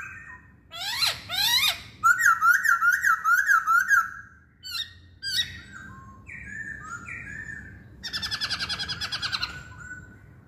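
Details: Song of a Chinese hwamei: loud buzzy sweeps, then a fast chain of looping whistles near one pitch, short sharp calls, stepped whistled notes dropping in pitch, and a rapid trilled ending.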